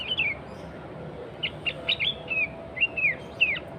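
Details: Natural song of a lively sooty-headed bulbul, meant to draw rival and wild bulbuls; a scattered series of bright slurred whistles, some rising and some falling, spaced over a few seconds against a soft background hiss.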